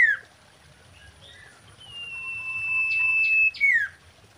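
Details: Female common iora, known as sirtu or cipoh, giving lure mating song: a falling slurred note, then a long, gradually louder level whistle finishing in a sharp descending slur.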